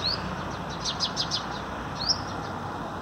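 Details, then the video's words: Male hummingbird singing in the morning on an artificial tree, 5 April 2021: thin, high squeaky upslurred notes around a brief run of faint rapid ticks, over low hiss; agitated sparrows are calling in the background. "Twittering of Humming Bird,हमिंग बर्ड का चहचहाना"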